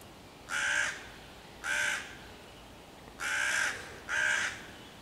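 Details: Cawing hooded crow harassing five young raccoons that wait in a tree by their den, 11 June 2023, calling to drive the predators away; four rasping, hoarse caws with irregular gaps, the middle pause longest.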